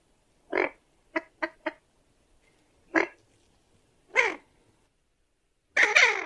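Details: Common goldeneye calling: a series of short, harsh, nasal notes. There is a single note, then a quick run of three, then more spaced single notes, and a longer, rougher call at the end. The background is quiet.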